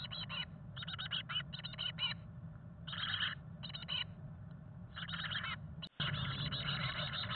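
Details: Chickadee nestlings in a nest box on fledging day 18, born May 17, 2022, fed by both parents: repeated short bursts of high, harmonic, buzzy calls, several per second, pausing between bursts, over low rumbling box noise.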